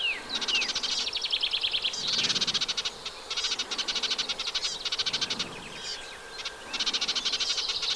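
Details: Eurasian reed warbler at a nesting site in a wet meadow by the Vilaine near the Arzal dam, Brittany, France, on 15 June 2023. It gives a rhythmic, grating chatter of rapidly repeated notes in bursts, with a few slurred whistles early on.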